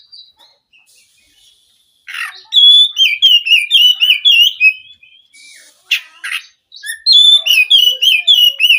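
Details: White-rumped shama singing: a fast series of high, clear whistled phrases with sweeping rising and falling notes, delivered in bursts broken by short pauses and a few harsh, noisy notes.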